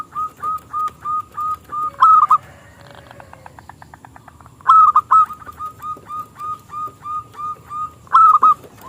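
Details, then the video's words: Local zebra dove with a small crystalline voice, singing to coax rivals into song: steady rows of short coos punctuated by loud stuttered phrases, with a brief dry rattle in a pause. "Perkutut Lokal Gacor suara KECIL Kristal AHLINYA untuk pancingan perkutut lawan MANGGUNG"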